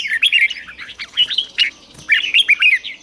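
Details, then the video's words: Red-whiskered bulbul kept caged and trained to sing in the morning: bursts of bright, quick chirping and warbled notes, two phrases separated by a short pause, with faint high background chatter of other birds. "Luyện chào mào hót sáng, QUÁ HAY - CHÉ KÍCH BỔI CĂNG ĐÉT, luyện chào mào hót căng lửa"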